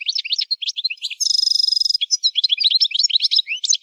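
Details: Goldfinch in song training delivering a lively twittering run interrupted by a half-second buzzy, rattling trill, then more rapid, bright chirps and rising whistled notes without pause.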